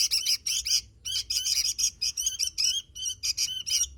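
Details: Lively sooty-headed bulbul song: clusters of fast chirps, then a run of separate, clear, slurred notes spaced a fraction of a second apart.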